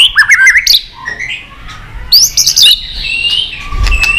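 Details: Excited white-rumped shama singing with tail-flicking: brief bursts of varied high whistles and chirps separated by quiet gaps, a sustained thin whistle near the end, sharp clicks scattered through.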